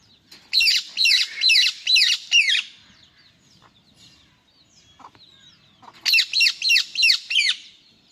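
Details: A male Indian ringneck parrot, described as angry, gives harsh, shrill screeches in two bursts of five, about two per second, with a quiet pause between the bursts.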